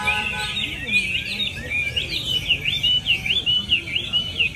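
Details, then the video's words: Caged Chinese hwamei, the first-prize winner, singing at a hwamei singing competition in My Dinh, Vietnam, on 19 July 2020: a rapid run of bright, looping whistled phrases, rising and falling without pause, over faint low background murmur. "Chú Mi GIẢI NHẤT sbd37 cùng Cám Mi Đất Việt tại HỘI THI HỌA MI HÓT MĨ ĐÌNH 19/7/2020"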